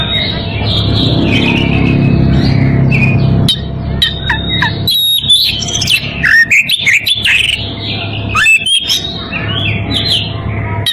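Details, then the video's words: Oriental magpie-robin in breeding condition calling a rival; softer whistling at first under a low rumble, then loud sharp whistles, twangy slurs and rapid chatter in the second half. "Kacer birahi memanggil lawan"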